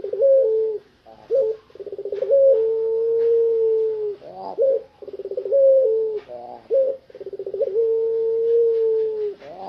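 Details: Tame spotted dove of the puter pelung kind, out of its cage, repeating a cooing phrase about every four seconds: a quick stuttered run then a long held hoot.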